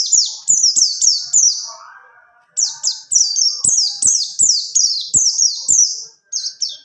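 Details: Buxtoni white-eye in rolling 'ngalas ngerol' song, used as a tutor for other birds: rapid high, down-slurred chirps repeated about three per second, with a brief pause midway before the series resumes.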